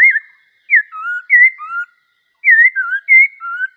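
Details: Black-cheeked bulbul in good song: bright whistled notes alternating high and lower, slurred and warbling, delivered in two quick phrases separated by a short pause.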